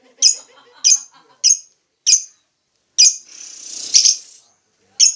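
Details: Lovebird uttering sharp, piercing single chirps roughly once a second, with a brief hissing noise midway.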